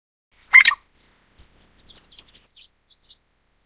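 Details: Grey treepie, nominate subspecies, in Taiwan giving a single loud rasping, grating call burst, followed by faint, scattered high chirps from other birds.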